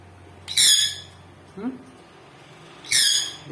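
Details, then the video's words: Sun conure parrot, a household pet, calling as if asking for something: two strident, rasping screeches roughly two and a half seconds apart, a short human vocal sound between them. "Sun Conure parrot asking something"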